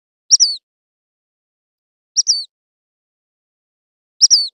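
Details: Dark-sided flycatcher giving three thin, very high, sharp two-part notes, each a quick descending tsee, spaced about two seconds apart in otherwise silent surroundings.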